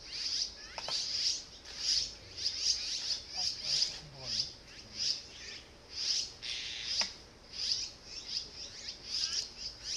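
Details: Azure-winged magpie nestlings, close to fledging, give thin, high, hissing squeaks in quick bursts about once a second as their parents return with food after a long absence. Faint human voices are heard.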